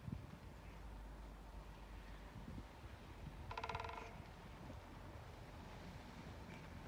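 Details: Male great spotted woodpecker drumming at intervals on 5 February 2022 at the entrance to Sundsvall nursing home, Haga, with a pair present: one short, rapid roll of resonant knocks lasting about half a second over steady low background rumble.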